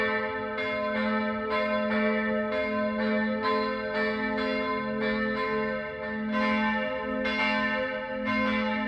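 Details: Church bells ringing in Bergen, Norway, on 28 September, with repeated overlapping strokes of the bells about once a second, rich ringing tones throughout and no animal voices.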